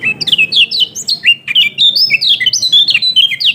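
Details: Lombok kecial kuning (yellow-throated white-eye) lure song: quick, high, slurred whistles and chips tumbling over one another without pause, bright and sharp throughout.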